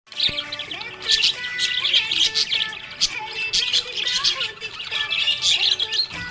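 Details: A happy Budgerigar (Melopsittacus undulatus) chirps in quick, bright, scratchy bursts over background music.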